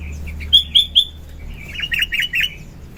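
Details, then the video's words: {'text': 'Morning song of a sooty-headed bulbul, offered as a lure and training recording. Three loud, sharp whistled notes come first, then a quicker, softer warbling run of rising and falling notes over low background hum.'} "Burung Kutilang Gacor Pagi - suara kutilang gacor isian - suara kutilang gacor pikat terampuh"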